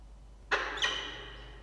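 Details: Falcon at its nest with two newly hatched chicks, 6 October 2023 at 16:43, nest camera: two harsh, harmonic-rich calls begin abruptly, the second starting about a third of a second after the first, each ringing on in a reverberant space.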